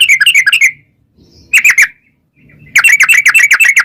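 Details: Yellow-vented bulbul with a long 'ropel' song, used to lure wild birds into answering: a quick bubbly chatter, a short burst of three bright notes after a pause, then a fast run of rapidly repeated liquid notes.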